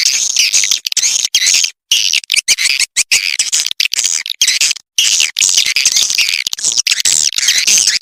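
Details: Swiftlet calling sound, Vietnamese Âm Ngoài Vĩnh Châu lure style: steady high, buzzy twittering chirps in long bursts broken by short silences, dense overlapping chatter.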